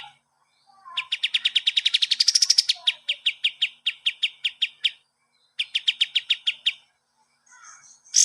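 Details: Cage-bird training song of a kapas tembak: long strings of sharp, high chirps delivered quickly, one run briefly rising in pitch and intensity, a short pause, then another burst of chirps and a faint squeak at the close.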